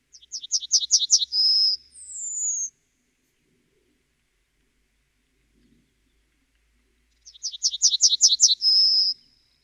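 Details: Two Yellowhammer songs about seven seconds apart, each a fast string of repeated high chirps finishing in a long drawn whistle, the first followed by an extra sliding high note.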